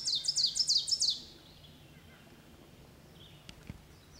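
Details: Ovenbird at Iroquois National Wildlife Refuge, a wetland, heard and then seen: a quick burst of six loud, high, sharp notes in about a second, then faint rustles and a couple of clicks.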